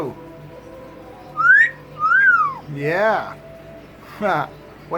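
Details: Pet double yellow-headed amazon conversing with its owner: two quick rising whistles followed by harsh, buzzy, voice-like utterances, with a room hum underneath.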